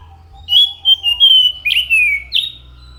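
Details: Orange-headed thrush delivering long, pure whistled notes that glide smoothly, ending in a downward slur and a final rising note.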